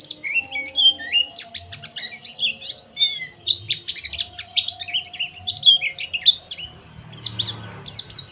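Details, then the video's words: Oriental white-eye song used as therapy for caged pleci to sing ngeriwik: continuous high, jumbled twittering with sweeping slurred whistles and crisp clicks, steady throughout with a faint low hum underneath. "TERAPI PLECI AGAR NGERIWIK TELER"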